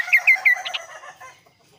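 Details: Varied, clear song of a kaso-kaso bird: three loud, sharp chirps falling in pitch, spaced about a quarter-second apart, then softer twittering notes that fade out.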